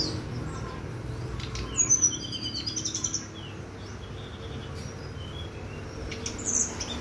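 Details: Brown-chested jungle flycatcher on a bright morning: scattered high whistles, then a fast, very high thin trill of repeated notes lasting about a second, followed by a few more sharp high notes.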